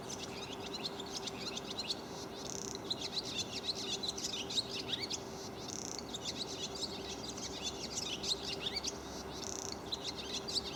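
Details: Barn swallows twittering in a dense stream of quick high chirps and trills, with scattered rising notes, over steady background hum and outdoor noise.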